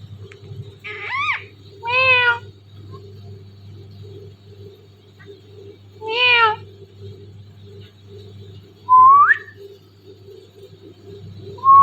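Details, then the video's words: Pet Indian ringneck parrot, a talking bird, producing a few isolated drawn-out meow-like harmonic calls spaced several seconds apart, then a rising whistled note, over a steady low hum. "the best talking parrot mittu"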